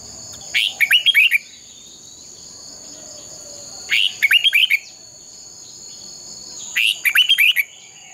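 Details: Fighting song of a trained red-whiskered bulbul: three identical short phrases of five or six lilting whistled notes, each repeated roughly every three seconds, with a steady high background tone.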